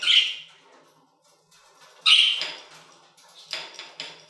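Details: Budgies in an aviary: a few sharp, harsh squawks separated by quiet pauses, followed by softer scratchy chatter near the end.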